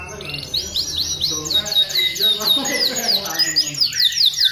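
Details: High, energetic canary song used to tutor and stimulate other canaries: a continuous stream of fast sharp chips and slurred trills that changes tempo throughout, over soft background noise.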